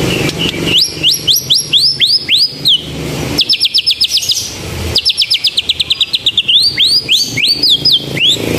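White-rumped shama singing canary-style: fast runs of bright, rising whistled notes broken by rapid chattering trills, high and lively throughout.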